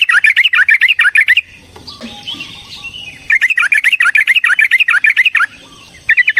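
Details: Yellow-vented bulbul delivering a long, heated fighting song as a lure for other bulbuls. Runs of fast, bubbly, up-and-down notes are split by a short quiet gap with faint background sounds.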